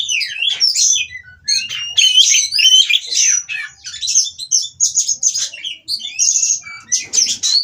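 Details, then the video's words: White-rumped shama singing, described as mating and provoking rivals to sing: varied phrases of sharp whistles, quick sweeps and scratchy chatter in bursts with short pauses. "Burung Kacer Kawin Merangsang Lawan Untuk Bunyi dan Lebih Gacor"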